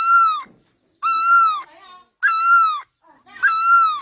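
Great barbet giving four loud, mournful, nasal wailing notes, each slightly rising then falling, spaced about every second and a quarter.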